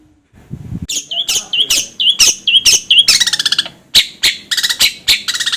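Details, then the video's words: Long-tailed shrike song meant for teaching birds to sing: a run of clear high whistles, each dropping then flicking up, about two per second, then a grating buzz and scattered harsh chirps. "suara masteran BURUNG CENDet /pentet agar cepat gacor"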